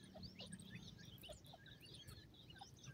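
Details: Francolin (teetar) chicks in Pakistan give thin, high peeping chirps, short and scattered several times a second, over a low background rumble.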